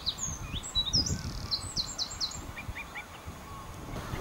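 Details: Singing Bluethroat on Texel, the Netherlands: high chirps leading into a fast string of repeated downslurred notes, followed by softer lower whistled notes, with wind rumble underneath.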